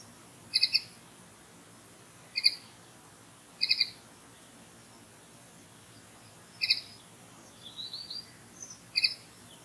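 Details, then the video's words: Common linnet giving short, bright doubled chirps at irregular gaps of one to three seconds, with a faint warbling phrase between them, among other nearby birds singing. "Голос птицы Коноплянки"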